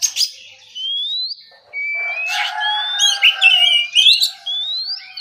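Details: Oriental magpie-robin singing in the morning in the relaxed ngeplong style: long, clear whistled notes sliding upward, broken by brief buzzy chatter and sharp high chips, with a lower steady tone beneath in the middle.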